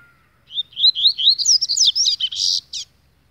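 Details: Agitated double-collared seedeater pouring out a fast chain of high, upslurred whistles that speeds up and ends in harsh, buzzy notes, all within about two and a half seconds, against a quiet background.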